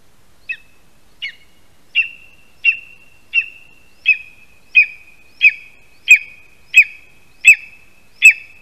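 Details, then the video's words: Male lesser spotted eagle at a spruce nest in Latvia, 8:16 AM on 13 August 2021, calling for his mate after bringing a mouse: twelve sharp, high yelping notes, one about every 0.7 seconds, growing louder toward the end. "Mazais ērglis~ Andris brings a mouse Is calling for Perle"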